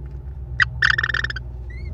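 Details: American kestrel mother feeding her four chicks at a Wisconsin nest, May 13, 2021, via nest camera: a single harsh note followed by a rapid, grating series of about eight rasping pulses, then a faint thin whistle.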